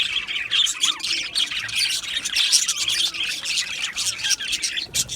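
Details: Australian budgerigars in an aviary colony, a dense, continuous chatter of many birds with rapid, high chirps, squawks and warbled notes overlapping throughout.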